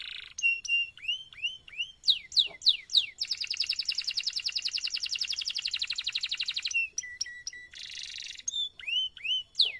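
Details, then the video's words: Long, lively canary song intended to prompt other canaries: varied whistled swoops and chips, a loud sustained rapid trill, then buzzy phrases and more rising and falling whistles. "MASTERAN suara BURUNG KENARI GACOR PANJANG || COCOK untuk PANCINGAN KENARI lain !!!"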